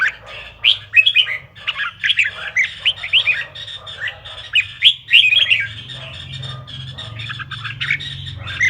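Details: Red-whiskered bulbul song played to provoke bulbuls into singing; a dense, busy stream of chirpy, slurred whistled notes, several per second, with fuzzy scratchy undertones and a steady low background hum.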